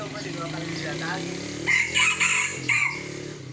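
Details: Sumatran red junglefowl during traditional luring of young wild birds. A loud, strained crow comes in broken bursts in the second half, preceded by softer calls and faint background voices.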